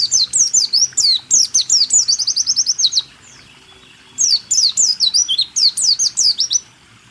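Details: Caged-songbird training recording of a white-eye singing rool tembak style: fast, high, slurred chips in dense bursts about four per second, a one-second silence, then another tumbling burst of shrill down-sweeping notes.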